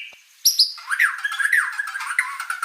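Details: White-rumped shama singing in full, lively 'gacor' style, called the most prolific singer ever seen: two high whistled notes, then a run of quick rising and falling chirps repeated about every half second.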